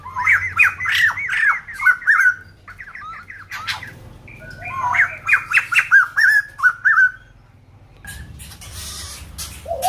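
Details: White-crested laughingthrush from Kbang giving loud, excited bursts of cackling, swooping whistled notes in two long rapid runs separated by a short pause, ending in quieter scattered calls.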